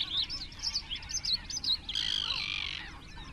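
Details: Great crested grebe at the nest in a crowded colony of about twenty grebes, 21 June 2024; thin squeaky notes repeat quickly, then a loud harsh rasping call lasts nearly a second.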